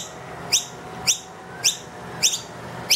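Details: Indoors, a wild noisy miner with two young loudly demands more food from an empty feeder: five sharp, high, upslurred chirps spaced about half a second apart.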